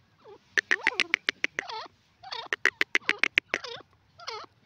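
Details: A pair of francolins (teetar) calling; two bouts of loud, sharp, rhythmic clicking notes mixed with nasal, grating phrases, each bout lasting about a second and a half, with short pauses between.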